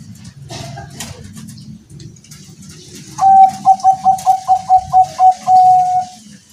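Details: Bangkok-type zebra dove kept at home, singing through strong wind: a rapid rolling series of about ten short, evenly spaced coo notes ending in one long steady note, with low wind rumble beneath.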